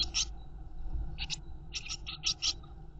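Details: Eurasian blue tit nestlings in a nest box, fed briefly by their mother; short, scratchy, high chirping bursts in about five clusters over three seconds, above a steady low hum.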